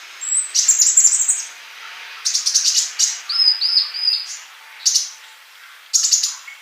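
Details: Male sunbird singing actively, kept for tutoring young birds that do not sing yet: high, thin chirps and short buzzy bursts in separate phrases, with a brief steady whistled note near the start.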